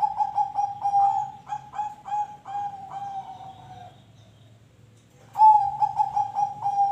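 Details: Zebra dove song for prompting other birds to sing. Rapid, repeated mellow coos run steadily for about four seconds, fade, then after a short silence the pulsing cooing phrase starts again loudly.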